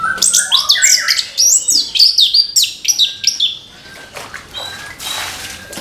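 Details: An orange-headed thrush sings in the morning: fast, looping whistled phrases rising and falling, densely packed for several seconds before trailing off into quieter notes and a short burst of hiss.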